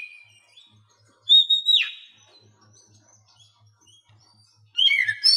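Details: Oriental magpie-robin phrase from training material for quiet captive birds: a short whistle, then a loud high note ending in a harsh downward sweep, a long pause with faint ticking hum, and a closing burst of chattering notes.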